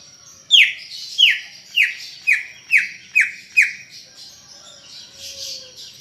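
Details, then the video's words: Greater green leafbird in lively song, a rapid series of seven loud downslurred whistles falling in pitch, about one every half second, then fading into faint softer warbling. "Ocehan Cucak Ijo Gacor untuk Pancingan Bunyi"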